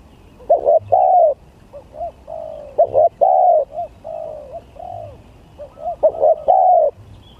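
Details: Spotted dove in a song contest of gagap, tindan and klantan styles, cooing in repeated phrases: stuttering short notes running into longer mellow coos, several phrases in succession with brief gaps and a faint low hum.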